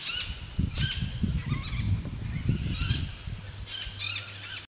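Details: Hoatzin at a breeding site in the Orinoco Delta, Venezuela, in August 2013, giving several hoarse, wheezy hissing bursts in under five seconds, over a steady low rumble like wind or a distant motor.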